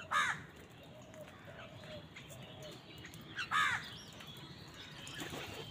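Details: Many crows fighting for food on a winter morning. Two loud, grating caws about three seconds apart, with faint distant cawing and a soft steady background hiss between them.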